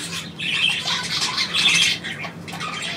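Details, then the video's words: Pet bird trilling when its owner asks: a continuous bright chattering trill rising and falling in loudness, with a low hum in the background. "Hansi trillert auf Komando"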